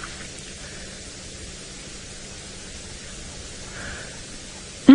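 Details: Steady broadband hiss with a faint low hum throughout; a voice breaks in abruptly at the very end, and no animal calls stand out.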